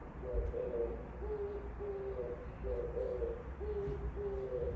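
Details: Oriental turtle dove singing outside a window, giving a steady series of low, husky coos grouped roughly in pairs, about six notes, over a constant low rumble of background noise.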